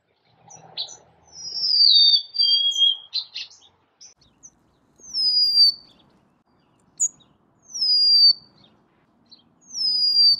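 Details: Golden-crowned sparrow giving a full descending whistled phrase, then several shorter downward-slurred whistles repeated every second or two, with faint low background rustle.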